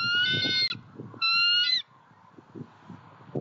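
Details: Eagle at a Southwest Florida nest-cam site on 23 February 2020 during a pond visit: two drawn-out, high, thin squealing calls, each about half a second with rich overtones, over low rumbling background noise.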